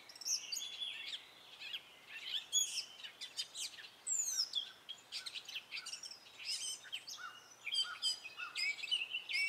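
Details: Spring song of a male Gray Catbird, a diverse series of short notes that often imitate other birds; squeaky whistles, mewing slurs and harsh chatters tumble out without pause, with occasional notes repeated, over light background hiss.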